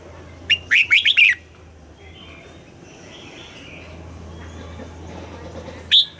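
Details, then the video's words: Morning singing of a red-whiskered bulbul in the double-note wild-forest style. A rapid cluster of clear, rising and falling whistled notes opens the phrase. Near-silence with faint background hum follows before a single loud note. "Luyện giọng cho chào mào hót sáng, ép chào mào hót âm kép già rừng hay tuyệt!"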